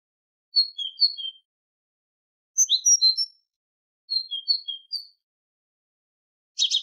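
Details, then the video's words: Tit singing on a tutoring recording for goldfinches: three bursts of varied high chirps and short descending notes about two seconds apart, ending in a brief buzzy rasp, with no background noise. "تغريد طائر الحداد ( القرقف) شريط تسميع الحسونChant de la Mésange"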